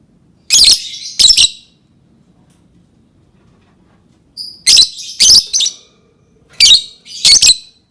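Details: Lovebird producing strident, buzzy squawks in paired and tripled bursts, a short silence between groups, quiet surroundings.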